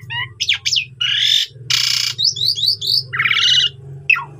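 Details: Asian pied starling training song meant to rouse rival starlings, full of varied phrases: twisting whistles, harsh rasping bursts, quick descending squeaky notes and a final down-slurred whistle over a steady low hum.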